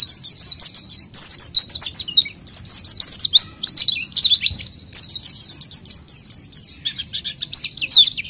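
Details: Lure song of an oriental white-eye: long, fast streams of high, piercing chirps and warbled notes, almost unbroken throughout.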